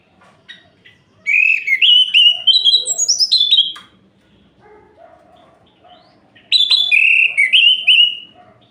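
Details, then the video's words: Orange-headed thrush singing at night, played to provoke other males: two loud bursts of sweet, rising and falling whistled phrases with high slurred notes, separated by a quieter pause with soft low calls. "Coba Putar! Suara Ini Bikin Gerah Anis Merah Lain"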